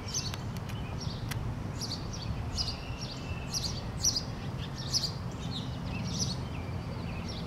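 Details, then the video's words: Male sparrow singing from a tree on April 28, 2017, giving rapid, high, clipped chirps in an uneven series, a few louder notes standing out, over constant low environmental hum and a faint thin whistle. "Little male sparrow chilling in the tree and singing his little hear out !"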